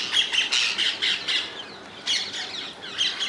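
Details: Wild rose-ringed parakeets in the Netherlands give harsh, high screeching squawks in bursts, several in quick series, then a pause and more screeches.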